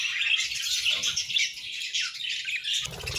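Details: Pet budgerigar pairs chattering together: softer, steady warbling and twittering with scratchy chirps running throughout, sometimes rising and dipping, with faint low background noise.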